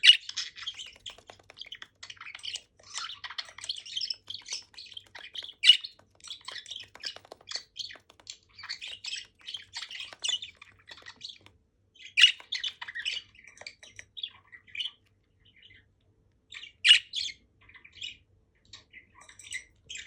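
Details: A female budgerigar chirps with her budgie companions, several chattering together in quick, scratchy chirps and warbles, pausing briefly between bursts.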